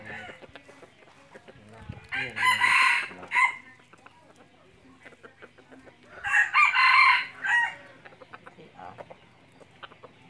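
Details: Two harsh, choppy crows from a red junglefowl decoy bird used in hunting, spaced about four seconds apart, each ending in an abrupt short note, over a murmuring, clicking background.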